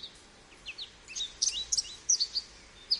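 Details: American goldfinch uttering scattered high, sweet chirps and slurred twitters in quick succession over faint hiss.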